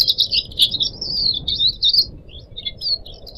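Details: Pet Pied Triller in a cage pouring out a fast, continuous warbling twitter of high buzzy notes for two seconds, then a few scattered thin whistles, with faint hiss behind.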